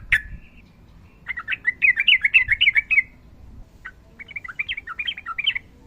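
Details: Sooty-headed bulbul with a long rolling fighting-style song. After one sharp note, a fast tumbling chatter of high bubbly syllables runs for nearly two seconds, pauses, then resumes as a rapid warbling phrase.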